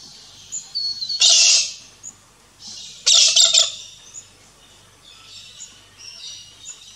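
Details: A galah (Eolophus roseicapilla), the pink and grey cockatoo, in an Australian backyard gives two loud, harsh, screechy calls about two seconds apart, with faint high chirps from other birds in between.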